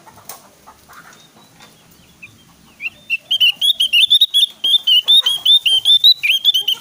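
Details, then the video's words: Javan white-eye singing energetically, played as a master recording to lure and train other white-eyes: after quiet scattered chips, a rapid, sustained run of high, sharp twittering notes begins and continues steadily to the end. "SUARA BURUNG OPIOR JAWA GACOR"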